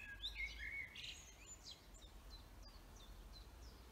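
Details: Forest bird song: a loud warbling phrase with bright whistles in the first second and a half, followed by a string of short, evenly spaced high chirps, over faint background rumble.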